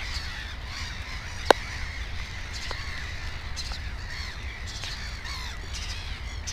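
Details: Black-headed gull at the nest with two chicks: rough, repeated squawks from the surrounding colony, a sharp click near the start, all over a low continuous rumble.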